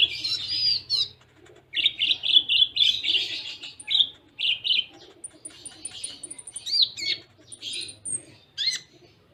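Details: Konin (Van Hasselt's sunbird) singing a dense, close-spaced Cililin-style fill: fast continuous twittering of high chirps, buzzy trills and thin squeaks, very high whistles sprinkled through, barely pausing.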